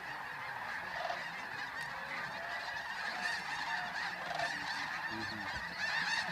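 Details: Sunrise departure of masses of geese at Bosque del Apache, San Antonio, New Mexico, 10 November 2013; a softer, blended murmur of many honking birds that builds slightly toward the end.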